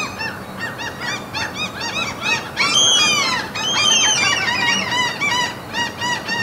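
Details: Seagulls calling at a mountain fjord in Norway, a chorus of short, repeated, arched yelping notes with a louder, longer drawn-out wail from a closer bird near the middle.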